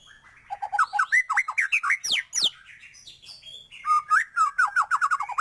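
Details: White-rumped shama singing energetically, with a song full of learned filler phrases. Loud, varied whistled notes rise and fall in quick succession, then sweep into high, steeply rising whistles. A fast run of repeated, bouncing whistled notes follows.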